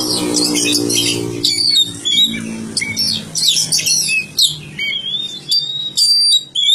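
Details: Oriental magpie-robin whistling and chattering in bright, high phrases over a steady low humming, music-like background, with short gaps between bursts of notes.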